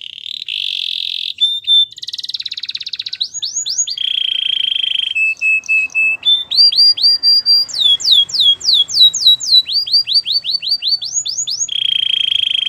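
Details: Belgian canary singing a training song: loud rolling trills and buzzy rattles give way to long series of rapid, sweeping upslurred notes repeated about four per second, ending in a steady high roll.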